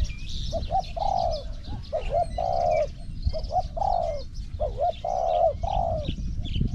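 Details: Spotted dove singing during decoy pen-trapping. It gives steady back-to-back phrases, each a pair of short notes then a drawn-out descending rolling coo, four phrases in a row. Small birds twitter faintly behind, with low rumbling background noise.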